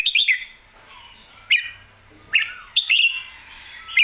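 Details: Red-whiskered bulbul, excited and singing clearly, gives four bright warbled phrases with sharp clicky starts. The phrases come roughly every second over a quiet background.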